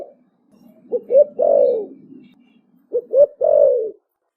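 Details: Young spotted dove cooing in the fast 'thổ bầu' style: two short rising notes, then a long, slurred, descending coo, repeated twice, with a faint low hum underneath.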